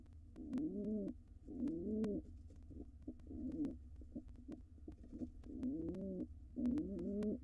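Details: Softer courtship cooing from a wild male pigeon in a nest box as the female dances before laying. Five or six rolling low coos with quieter gaps, frequent clicks and a noticeable low rumble.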